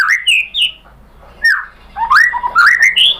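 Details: White-rumped shama (murai batu) lure song from Indonesia, meant to provoke other shamas into answering and singing: rich whistled phrases sliding between mid and high pitches, with a pause before a run of rising, fluted notes.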